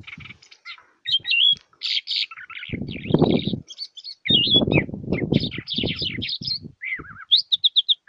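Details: A goldfinch hybrid (mule) sings a fast, twittering song of bright trills, buzzes and slurred whistles, ending in a quick run of repeated notes; low rustling thumps between phrases; song used for teaching young birds.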